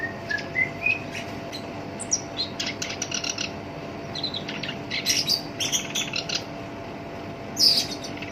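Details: Black-browed reed warbler, a kept songbird in full song with a rough voice, used as a lure to set other birds singing: scattered high, scratchy chirps and short buzzy bursts, separated by brief pauses over steady background hiss.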